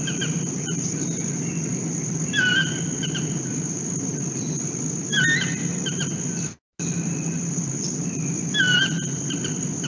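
A toucan gives short, harsh, yelping notes about every three seconds over a steady hiss and low room rumble, with a brief dropout midway.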